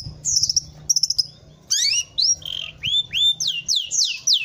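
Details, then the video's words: A Long-tailed Shrike sings: fast bursts of high chattering notes, then a run of loud, slurred whistles, each rising or falling, spaced about half a second apart. "MASTERAN CENDET NDESO"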